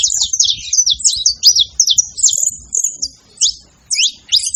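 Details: Saffron finch giving a quick series of high, sharp chirped notes, steady at first then breaking into spaced bursts with short gaps toward the end, over faint low background rumble.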